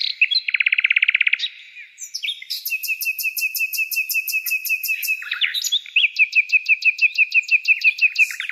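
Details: Songbird delivering a long song: a rapid buzzy trill, then a fast series of high repeated notes over a steady tone, followed by another run of evenly spaced sharp chirps.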